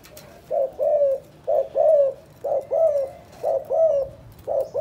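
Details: Calling spotted dove, Can Tho, Vietnam, in the 'chụp chụp ô' style: soft, hollow paired coos, the second note longer and slightly falling, given roughly once a second against a quiet background.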